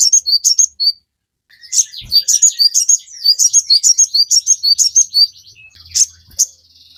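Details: Sogon in full chattering song, played to train caged birds: a brisk run of thin, very high whistled chirps, a brief silence, then a long dense burst of sharp twittering notes with a faint click.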